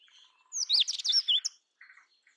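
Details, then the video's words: Song of the Indian robin, Copsychus fulicatus, from the Indian subcontinent: a rich one-second phrase of sweet, swooping whistles and twangy notes, with soft chirps before and a few quieter buzzy notes after. "Indian Robin Sound ! Indian Robin Singing Song ! Indian Robin Call"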